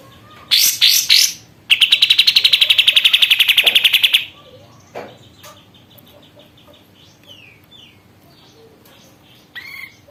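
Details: Caged sooty-headed bulbul after a month of care, singing actively: three loud harsh chirps, then a long fast trill of even buzzy pulses for over two seconds, followed by quiet faint notes and a closing chirp.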